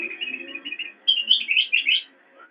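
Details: Black-crested bulbul singing for cage-bird training: a wavering, warbled phrase that lifts into a louder, higher chattering trill before fading.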